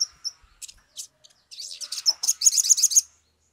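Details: Sumatran leafbird in an excited mood, played as a lure to prompt others to sing: a few isolated high chips, then a fast, rising, scratchy chatter of close-packed high notes lasting about one and a half seconds.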